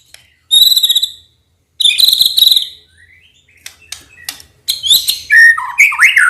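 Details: Lure recording of a white-rumped shama meant to make quiet males respond angrily: buzzy high notes with strong overtones, scattered clicks, then fluid swooping whistles toward the end.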